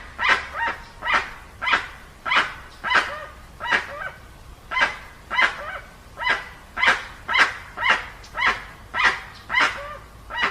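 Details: Dusky-legged guan in an unedited recording, calling in a long steady series of about nineteen harsh honks, one roughly every half second, loud and barking in tone.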